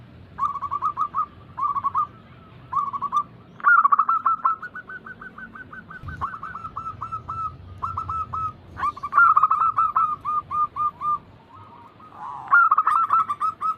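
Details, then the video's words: Zebra dove (perkutut) cooing for training other doves to sing, styles named local, Bangkok and crossing; rapid trains of short clear notes repeated in bursts, with several callers overlapping at times. "Pancingan ampuh atasi burung perkutut yang sulit Gacor"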